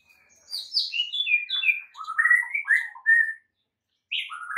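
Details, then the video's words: White-rumped shama training song meant to make silent caged birds start singing and turn aggressive; a fast run of varied whistled notes stepping down from high to mid pitch, then a pause and two more bright phrases. "MASTERAN Murai Batu MANDEK & BISU seketika jadi NARUNG plus NGAMUK mendengarnya"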